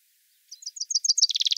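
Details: Common chaffinch singing one short song phrase: a quick series of high, slightly descending chirps that speeds into a dense, rattling run of repeated notes at the end.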